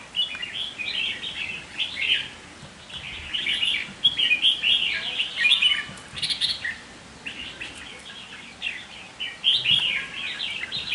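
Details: A caged decoy red-whiskered bulbul sings almost continuously, stringing together lively warbling, chirruping phrases with brief pauses, steady and clear over a quiet background.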